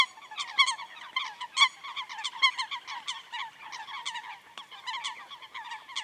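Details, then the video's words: Coots in a wetland at Chiflón, 8:11 a.m., 3 January 2025, possibly red-fronted coot: a rapid chorus of nasal honking calls, several overlapping about once a second with sharp trumpeting notes. "Coot Bird Sound | Real Calls of the Wetland Water Bird"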